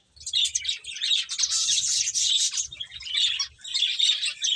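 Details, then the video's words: Finches feeding produce an almost unbroken stream of high, twittering chirps, swelling and dipping briefly, with faint low tapping beneath. "Cute Birds Chirping Sounds | Beautiful Finches Eating"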